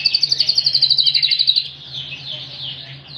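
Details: Yorkshire canary with a ring, singing a full, very loud song: a rapid series of high trilled notes about four per second for a second and a half, then softer warbling twitters, with a steady low hum beneath.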